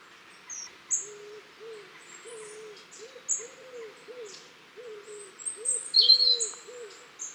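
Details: Long-tailed tits visiting a garden in October 2015: a busy mix of high, thin, slurred calls and a loud shrill trill, with a low, soft cooing sound repeating steadily beneath them.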